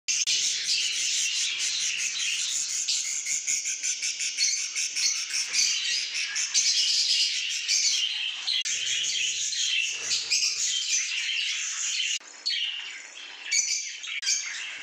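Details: A flock of breeding budgerigars, recorded 25/08/2022, chatters nonstop with high, scratchy warbles and sharp chirps.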